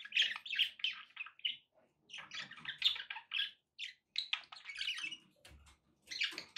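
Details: Budgies kept as pets, with background noise: lively stream of sharp, high chirps and squeaky warbled notes in quick clusters, with short pauses between outbursts.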